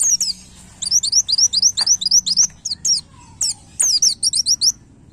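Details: White-eye master song for training caged birds, played daily during morning airing: continuous chatter of high up- and down-slurred notes, about two a second, varied and uneven in spacing.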